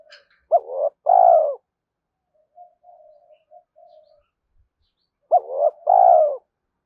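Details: Cooing spotted dove, used to excite decoy birds for trapping practice: two mellow, hoarse phrases about five seconds apart, each a clipped rising note and then a longer descending coo, with faint low murmurs in the gap.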